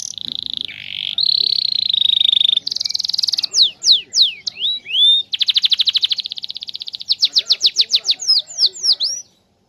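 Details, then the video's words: Canary song, used as a lure to make other canaries sing back: long buzzy trills of rapid repeated notes alternating with loud sweeping whistled slurs repeated about twice a second, ending abruptly. "pancingan burung kenari gacor pasti balas ngoce"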